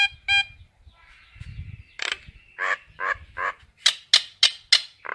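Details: Common myna calling to gather its flock, with two clipped metallic notes, a drawn-out buzzy tone, and a run of harsh, scratchy chacks that grow sharper and higher toward the end, over faint low rumble.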